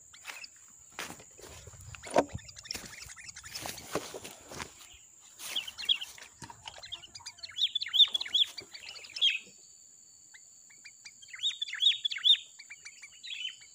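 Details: Wild sooty-headed bulbul at a bird-trapping lure site: short bursts of bright chirping notes come in clusters after some rustling and clicks, with a steady high whine in the background.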